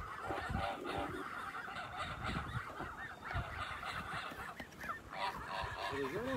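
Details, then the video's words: Many Kholmogory goose goslings at a farm on 27 May 2020 calling together: constant overlapping peeps, rapid and irregular. Near the end come a few lower, curving, rising-and-falling notes over soft background rumble. "Holmogory geese babies"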